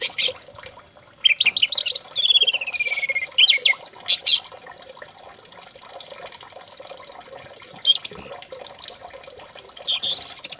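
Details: Orange-headed thrush song played to make another thrush sing: scattered bursts of high, clear whistled phrases, some sliding downward, separated by pauses, over a faint trickling background.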